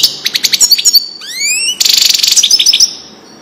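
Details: Goldfinch singing a Widani-style phrase for tutoring young birds; rapid pulsed twitters, then three clear rising whistled slurs, followed by a fast bright trill fading into a thin sustained tone.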